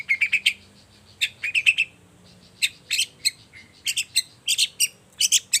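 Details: Long-tailed shrike, morning lure song to make silent shrikes join in. Clusters of scratchy, buzzy chirps come in quick groups separated by brief pauses, with a faint low hum beneath.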